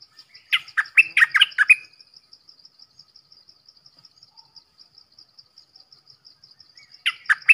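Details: Red-whiskered bulbul sings one jaunty phrase of fast, rich whistles, then stays quiet while a regular high ticking continues, and starts another phrase at the end.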